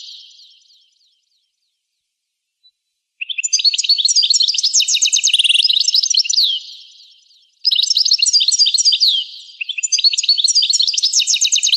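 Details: European goldfinch song in a rare 1985 recording: sustained runs of rapid, high, liquid twitters mixed with buzzy trills, delivered in long phrases broken by short pauses; background otherwise silent.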